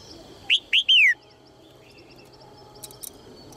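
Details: Red-whiskered bulbul, a female calling to encourage males to sing: one loud three-note whistled phrase whose last note glides down, followed by quiet background with a couple of faint high ticks.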